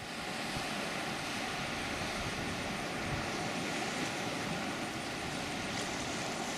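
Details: Steady broadband engine roar from a vehicle or aircraft fills the whole recording, with no animal voice heard.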